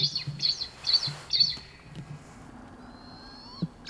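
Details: Wild blood pheasant in the eastern Himalaya calling with four quick high, squeaky chirps in the first second and a half, followed by a thin drawn-out whistle and a low background hum.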